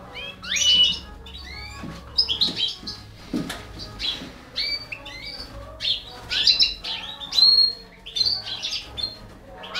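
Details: European goldfinch of the balcanica subspecies feeding four baby canaries; dense high chirps and short rising and falling tweets come in bursts across the clip, with brief gaps and light low background rumble.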